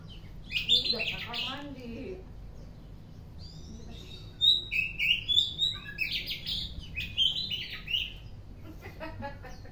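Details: Afternoon song of an Oriental magpie-robin, opening with a brief chattering bit, then a lively string of clear whistles and warbled notes, some sharp and high, delivered rapidly and irregularly over soft low rumble.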